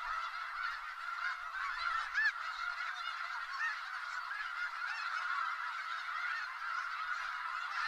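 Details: A big gathering of snow geese in Skagit Valley honks nonstop, a thick babble of yelping calls with a few louder, rising honks standing out near the start.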